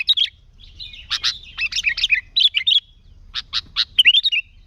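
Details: Sooty-headed bulbul song used to lure wild bulbuls, a fast jumble of bright warbled and chirped notes in short bursts with brief pauses, clear against a quiet background.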